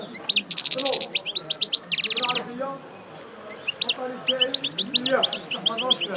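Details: Parva goldfinch, coupleur, just out of moult and working over its song: loud buzzy trills and rapid high twitters, a quieter gap midway, then renewed chirping phrases over faint background noise.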